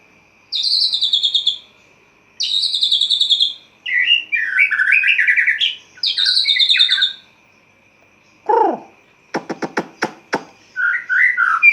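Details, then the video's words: White-rumped shama kept in a cage, singing at dawn once the cage cover comes off: bright buzzy descending trills alternate with lower rich warbled phrases, followed by a sharp dropping note and a burst of rapid clicking knocks. "Murai Batu Ngeplong buka tutup sangkar langsung gacor | Burung Murai Gacor Subuh Subuh"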